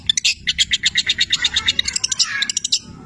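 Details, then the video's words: Long-tailed shrike, called cendet, in lively song mixing imitated labet and canary sounds; rapid pulsed high chattering, about three notes a second, ending in a brief rising scratchy phrase. "Masteran Cendet Petir gacor, Full isian mewah Labet dan kenari"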